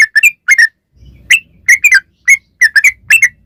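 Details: Sooty-headed bulbul (trucukan) song meant to lure other bulbuls into singing: bubbly slurred notes in small clusters with brief gaps, and a faint low rumble between phrases.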